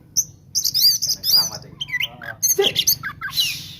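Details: Oriental magpie-robin in fighting 'tarung konslet' song style, used to provoke rival birds into agitation; varied high chirps, whistles and harsh notes in rapid bursts, with a short low murmur partway through.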